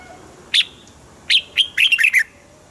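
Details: Red-whiskered bulbul singing, a recording meant to get caged birds excited: a lone sharp whistle, then a lively burst of six or seven bubbling, downslurred notes packed into under a second.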